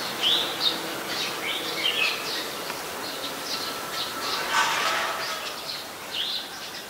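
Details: Eurasian tree sparrow (Passer montanus), a very common resident, in Ubon Ratchathani, Thailand, on 10 May 2020: short, high, scattered chirps tumbling irregularly, about three per second, over a steady hiss of outdoor background noise.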